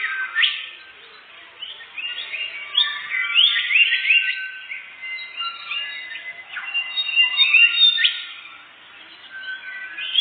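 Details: Canary singing, used as a forest bird-catching lure: long, unbroken chatter of fast upward-sweeping notes and buzzy trills, swelling and fading in waves over ten seconds.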